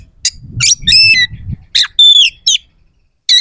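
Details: Oriental magpie-robin, a vigorous singer with rough, sharp phrases, used to provoke rival males to respond and fight; short harsh buzzy bursts and bright whistled notes with clear gaps, over faint low rumble.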